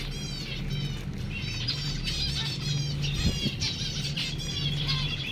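Zebra finches give repeated nasal, buzzy notes rich in harsh overtones, over a low steady hum.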